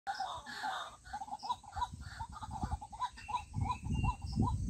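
White-breasted waterhen giving a fast run of hoarse, croaking notes, about three per second. A thin rising whistle from another bird and low rumbling background noise are also heard.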